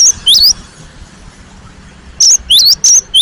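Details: Cinereous tit (gelatik batu) in full, vigorous song, used as a lure to provoke singing: sharp high whistled two-note phrases with rising and falling slurs, one burst at the start and a quicker run of four after a pause.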